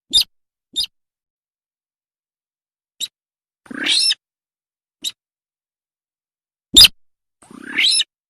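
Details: Buff-banded rail call used as a daytime lure for trapping. Sharp isolated clicks alternate with longer, rasping, squealing notes that sweep upward, spaced irregularly over several seconds in silence.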